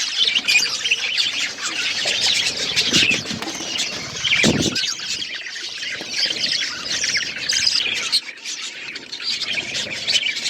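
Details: Several budgies feed on seeds while keeping up a busy, overlapping twitter of sharp high chirps; a brief low thump around the middle breaks the steady chatter.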